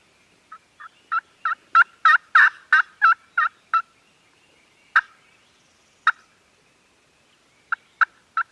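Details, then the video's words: Farm turkeys gobbling, recorded on a Canon G7X camera: a rapid run of about ten rattling gobble notes that swell and then fade, followed by scattered single gobbles and a closing trio of short sharp notes. "Turkeys Are Gobbling"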